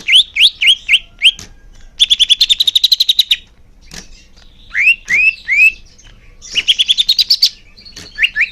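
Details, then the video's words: Caged greater green leafbird singing, used to make caged birds sing more: loud, rich whistled phrases of rising slurred notes, repeated in bursts, with rapid trilled runs and short pauses between phrases. "Suara Cucak Hijau Biar cepat gancor"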